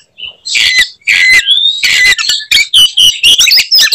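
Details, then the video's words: Oriental magpie-robin pouring out fighting-style song meant to enrage rival magpie-robins; smooth rising and falling whistles open, followed by regular clipped high phrases roughly every quarter second. "kacer gacor tarung bongkar materi tembakan khas bikin kacer lain NGAMUK dan EMOSI"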